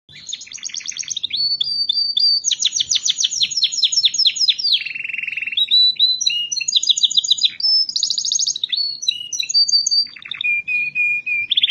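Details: Caged pet canary singing nonstop, with loud, varied high song. It mixes rapid trills, buzzy rolled phrases, clear whistled notes and sweeping chirps in an unbroken flow, with no other sounds.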